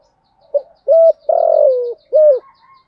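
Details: A spotted dove's calling coo, meant to lure wild doves into cooing back. A faint short note and a clipped hoot lead into a drawn-out, slightly falling coo, then one more short hoot. The background is quiet.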